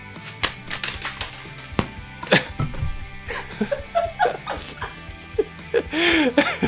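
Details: Background music with bursts of talking and laughter indoors; no animal calls stand out.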